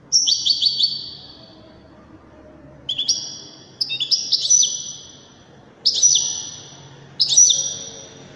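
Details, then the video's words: Widani goldfinch delivering a series of short sharp chirping phrases, some doubled, each trailing into a long fading high tone, with steady hiss in the background. "تغريد رائع أناقة في الأداء طائر الحسون الويداني"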